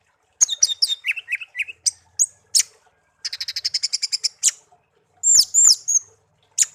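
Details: Pet songbird, taken from a garden and hand-raised from young, kept for one year and tame; bright, varied song of sharp high chirps, slurred whistles and a fast run of about a dozen rapid repeated notes, with short pauses between phrases.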